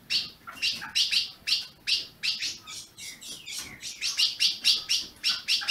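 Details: Ultramarine grosbeak chirping, meant to warm up a caged bird in Brazil: a steady run of short, bright, buzzy chips, about two to three a second, with some brief lower notes mixed in.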